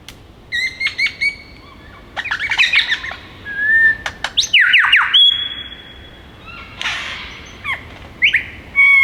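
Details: Male superb lyrebird in winter display song near Melbourne, mimicking many species: stuttering high notes, a level pure whistle, clusters of sharp downward slurs and a long steady tone, broken by a scratchy burst.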